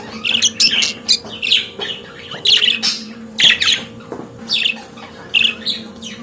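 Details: Pet budgerigar warbling: strings of squeaky chirps, clicks and rasping notes in bursts roughly every half second, with a faint constant hum.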